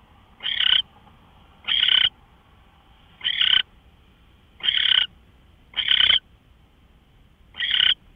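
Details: Owl at 5:27 AM on March 24, 2013: six raspy, hoarse screeches, each short and noisy, spaced about one to one and a half seconds apart, with little else audible.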